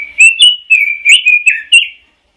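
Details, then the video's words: Short ngoceh phrase from a Pekin robin: about eight quick, liquid whistled notes run smoothly together, ending in a fading trill. "Suara Kicau Burung ROBIN - Ngoceh"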